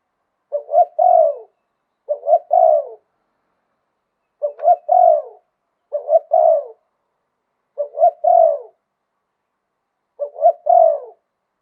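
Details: Spotted dove with a wild voice repeating luk tan style coos: six short three-note phrases over about eleven seconds, each a quick note, a hollow coo and a falling croon, sometimes in close pairs.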